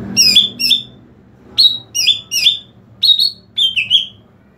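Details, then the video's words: Greater green leafbird call, used to lure other leafbirds: loud, bright, slurred notes, mostly in quick pairs, repeated about every second against a quiet background. "SUARA PANGGILAN CUCAK IJO UNTUK MEMIKAT CUCAK IJO LAIN"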